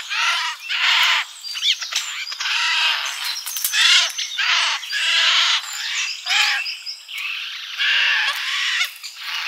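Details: Summer garden feeder birds give repeated hoarse, arching calls about every second, each a rasping burst of harsh notes, alternating loud and softer.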